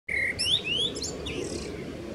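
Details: Male common blackbird singing on 15 May 2016 at the Neeracherried wetland, Canton Zürich, Switzerland; a short phrase of clear rising whistles followed by a high scratchy twitter, over a steady low background rumble.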